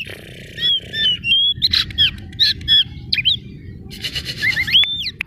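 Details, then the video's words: Kacer daput oriental magpie-robin lure song aimed at provoking rivals: spaced clear whistled notes, scratchy chatter bursts and a final rising whistle, with low rumble throughout. "Pemanasan awal pancingan kacer gacor ngotot memancing kacer diam langsung on jadi emosi nyaut!"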